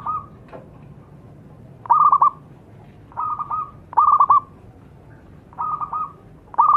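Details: Lure recording of a zebra dove singing. Repeated phrases pair a quick bubbling, stuttering trill with a steady mellow coo, spaced a couple of seconds apart over a quiet background.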